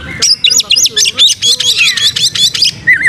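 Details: Caged white-rumped shama, kept as a lure bird with its tail spread, singing a fast run of loud repeated chattering notes and sharp whistled slurs, ending on a falling whistle.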